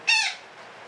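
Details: Parakeet calling with a long cackle (ngekek panjang): one harsh, buzzy squawk rich in harmonics, lasting about a quarter second and fading slightly downward, followed by a quiet room.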